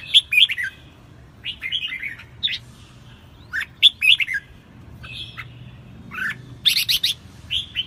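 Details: Newly wild-caught red-whiskered bulbul in full, fiery song, 2024: short bursts of liquid whistled and chirped notes separated by brief pauses, several phrases spread through the recording with a quiet low hum beneath.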